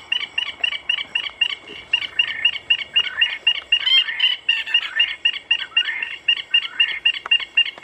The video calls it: White throated Francolin